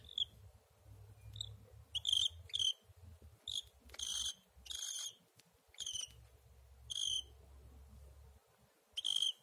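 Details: Pet cockatiel, described as very cuddly, calling indoors: a series of short, bright chirps with a ringing tone, given in irregular bursts roughly every second. Soft low rumbling runs in the background between calls.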